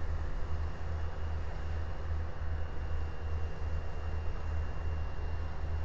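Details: A low droning hum that pulses steadily, like an engine or machine, under a bed of hiss.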